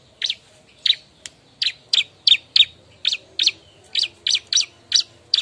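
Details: Bar-winged prinia calling for a mate with a steady series of loud, sharp, high chirps, about two or three each second, some closely paired.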